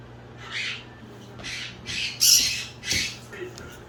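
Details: A male pet Moluccan cockatoo (Cacatua moluccensis) that had been playing under furniture gives five harsh, raspy squawks, each under half a second, at irregular gaps, indoors over a low steady hum; the owner asks what's wrong.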